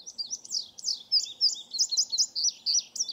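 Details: Male indigo bunting singing near the Cemetery Road Wetlands between Keene Valley and Keene, Essex County, New York, on 16 July 2018, about twenty minutes after sunrise; a bright, high, rapid run of sweet paired and slurred notes, steadily repeated with no other clear sounds.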